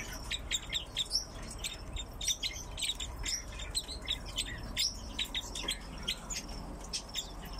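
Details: Crossbills held in captivity alongside pine grosbeaks, several calling at once: a dense, busy run of short, high, clipped chips, some slightly buzzy, overlapping throughout with a soft low hum underneath.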